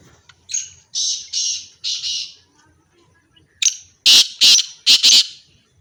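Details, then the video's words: Black francolin, a pair, calling: three buzzy, harsh notes, a pause, then a sharp note leading into four loud, grating, rasping notes in quick succession. Faint low hum underneath. "teetar black teetar irani teetar pair sound of teetar"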